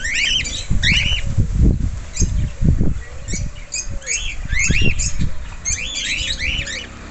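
Several cockatiels give short, arched whistled calls that rise and fall, repeated in quick bursts, over low thumping and wing-flapping noises.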